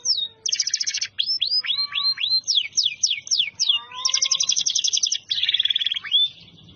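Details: Canary singing continuously: rapid buzzy trills alternate with series of quick down-slurred whistled notes and low warbling tones, a varied rolling song with barely any gaps.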